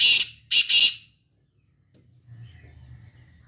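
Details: Morning call of a black francolin: three loud harsh, rasping notes in quick succession, the last two nearly joined, followed by quiet with faint distant bird chirps.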